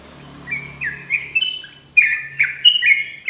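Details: Sooty-headed bulbul in energetic rolling song: clear whistled notes and slurred phrases, sharper accented bursts toward the end, a faint low hum early on.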